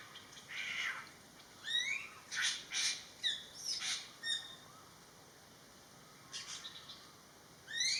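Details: Greater Racket-tailed Drongo, a noisy daily visitor to a garden pond in western Thailand: a varied run of loud, harsh squawks, rising whistled notes and metallic buzzy calls, several in quick succession, then a pause before more rising whistles.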